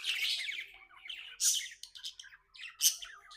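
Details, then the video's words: Contented pet budgerigar opening with a burst of rapid warbling, then breaking into scattered chirps punctuated by two loud, harsh squeaks. "Happy budgie chirping sounds"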